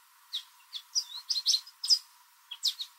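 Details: In a backyard, an American goldfinch sings a rapid, jumbled run of high, sweet twittering notes and short slurred phrases, loud and clear, likely a mating song to attract other goldfinches.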